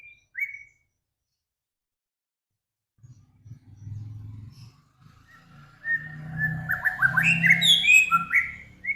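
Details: Cage songbird, one of Samyong, Kancilan Flores or Garugiwa, in a master recording for training cage birds: a lone whistle, a low rumbling pause, then rapid bright whistled phrases that slur up and down, jumbled together.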